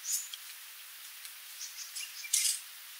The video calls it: Tiếng chim Khướu đá mun, Sooty Babbler, Stachyris herberti [Bird sound]